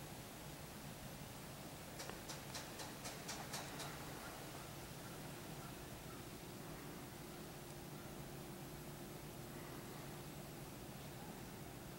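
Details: Steady wind and rumbling outdoor noise, with a short burst of sharp clicks early on and no clear animal call.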